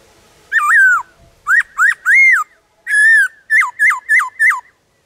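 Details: In the wild forest, a black-throated laughingthrush sings many-voiced phrases. A falling whistle, then rising and arched slurs, a long level note, and a fast closing run of four short hooked whistles.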